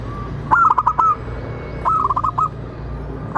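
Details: Local zebra dove (perkutut) singing two rapid bursts of soft, rolling coos, each a stuttering series of about six notes ending in a longer one, with a quiet background hum; used as a lure call.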